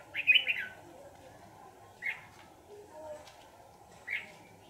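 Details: Red-whiskered bulbul, a trapped bird later released: a short bright warbled phrase of rapid chirpy notes opens, followed by two brief single chirps roughly two seconds apart, over a steady low background hum.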